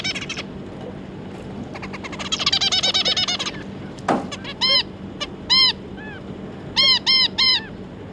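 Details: Two adult zebra finches with three juveniles, 25 July 2022: a quick buzzy, stuttering phrase, one loud click, then a string of clear nasal beeping calls, some in close pairs and triplets, over a low hum.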